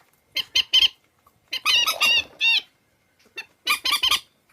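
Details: Swamphen lure recording: three groups of loud, rasping squawks, some drawn out and grating, others short and clipped, with near-silent pauses between groups.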